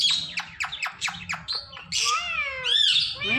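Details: Talking rose-ringed parakeet repeating short clipped words in a rapid run, then breaking into harsh squawks and a long wavering cat-like meow.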